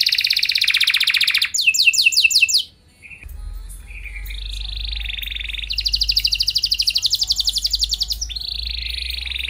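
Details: Canary singing in a lively, full-voiced style meant to prompt other canaries to respond: fast trilled phrases, a run of sweeping slurred notes, a brief pause, then long buzzy rolling trills high in pitch.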